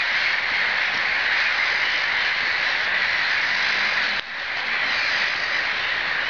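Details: About 4,000 black-headed gulls in Riga calling at once, their harsh, high cries merging into a continuous, roaring din with no single voice standing out.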